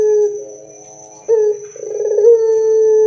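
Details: Loud Barbary dove song meant to get other doves calling back: a held coo with layered overtones fades, then a sharp new note starts, turns rough and wavering, and settles into a long, even tone.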